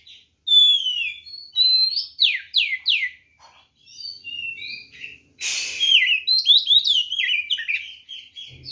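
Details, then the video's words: Fighting song of an oriental magpie-robin, used as a lure to provoke rival birds: a fast series of sweet downslurred whistles and chirps, broken by a brief rustling noise, then resuming with quick varied phrases. "SUARA BURUNG kacer gacor NGEPLONG TARUNG ini paling AMPUH buat PANCINGAN kacer NYAUT EMOSI"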